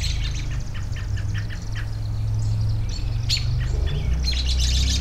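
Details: Birds outdoors: a soft series of evenly spaced high chirps, a loud sharp squawk past the middle, then scattered twittering, all over a strong, steady low rumble.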